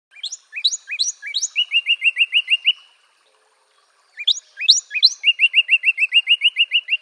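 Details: Northern cardinal singing two phrases, each opening with sharp upslurred whistles and followed by a quick run of about eight repeated slurred notes, with a pause between phrases.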